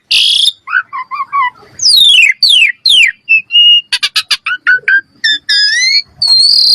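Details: Common myna giving a varied run of loud whistles, downslurred whistled notes, clicks and harsh rasping bursts, with short pauses between phrases.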